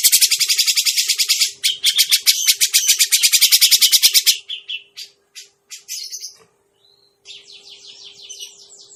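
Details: Grey-cheeked bulbul lure recording used for trapping birds: loud, harsh buzzy chatter of rapid pulses, about four per second, for four seconds, then scattered notes and a softer chattering run, over a steady low hum.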